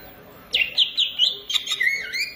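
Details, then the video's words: Short burst of green leafbird song from Indonesia: a string of rapid, looping whistles followed by a lower, wavering whistled phrase. "cucak ijo gacor manteb banget"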